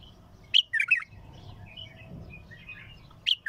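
A bulbul gives a quick, bubbly phrase of liquid warbled notes, pauses about two seconds, then starts another; a faint low hum runs underneath.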